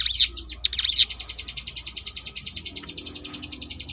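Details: Ngebrem-style song of the Sunda bush warbler for contest-bird training: loud swooping whistles in the first second, then a long, metronomic, buzzy pulsed rattle at high pitch.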